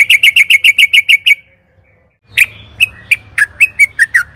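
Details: Yellow-vented bulbul lure song used to spur caged birds into singing: a fast series of bright chattering notes, then a pause and scattered sharp whistled chips with a faint low hum beneath.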